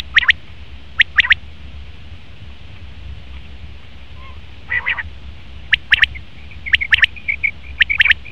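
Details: Male common quail calling in short sharp pairs and triplets, with one lower buzzy call midway and soft high dotted notes toward the end over a low background hum.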